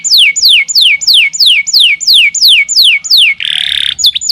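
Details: Canary song of loud, whistled notes sweeping downward, repeated about three times a second, ending in a rough buzzy burst and a few short chips.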